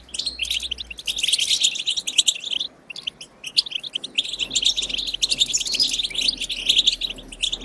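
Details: Wild 'bitbita' song of a European goldfinch for prompting goldfinches to sing: two long bursts of bright, buzzy, tinkling twitters separated by a clear pause of about a second and a half near the middle.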